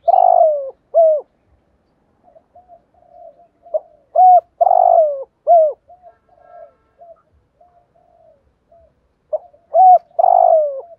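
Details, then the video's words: Spotted dove giving thúc gù coos to excite decoy birds: three loud phrases of short hoots and a long descending coo, separated by quiet, breathy murmuring. "chim cu gáy thúc gù bài bản/ Tiếng chim cu gáy kích bổi và mồi rất xiêng gáy"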